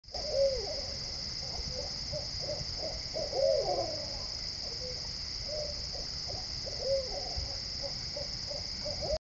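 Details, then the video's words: Two owls call back and forth, trading low, rounded hoots, several every few seconds, over a steady high electrical-sounding hum. "Two Owls Call Back and Forth"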